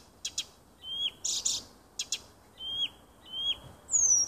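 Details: Nightingale singing in a small woodland beside a house on 30 June 2015: high clicks, a harsh rasping burst, repeated downward-slurred whistles and a final thin high whistle.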